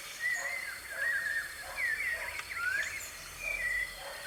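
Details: White-necked thrush free in the wild, live recording: whistled slurred phrases including a descending swoop and a zigzag run, spaced about a second apart, over noticeable background noise.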